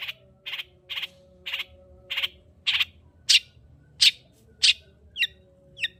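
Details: Long-tailed shrike lure to make a lazy shrike sing: a steady series of short raspy notes about twice a second, growing louder and harsher, then two thin upward chirps.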